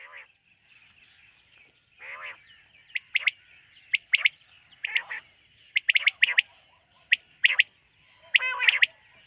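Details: Night call of a quail, recorded in a quail-hunting context: clipped whistled notes, mostly in twos and threes, mixed with rougher, burry chattering sounds, irregular spacing, and faint low rumble underneath.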